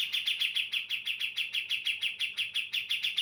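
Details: Lure song of a female Javan brown-cheeked bulbul, meant to make males reply: an unbroken series of sharp, ringing chips, about five a second, each falling slightly in pitch.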